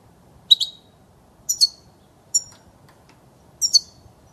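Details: European goldfinch used to tutor young birds: four bright high double chirps spaced roughly a second apart, crisp and clear in a quiet setting.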